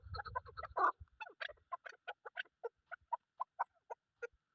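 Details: Female chukar partridge, a local hill bird kept for luring birds in hunting, giving a series of short clucking notes repeated roughly every quarter second, starting with a louder burst and a low rumble, then steady spaced chuck notes.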